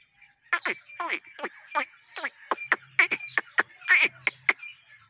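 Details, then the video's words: Desi partridge giving a rapid run of loud, harsh, downward-sweeping notes, roughly three per second, with a steady ringing tone running beneath the series. "Teetar ki awaz"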